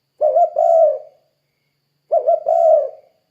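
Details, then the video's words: Spotted dove cooing in 'kuk kuk' style as a lure for other doves: two low phrases, each a quick double note sliding into a longer drawn coo, about two seconds apart. "Suara Burung Tekukur Gacor Kuk 2 Untuk Pancingan Derkuku Biar Cepat Bunyi"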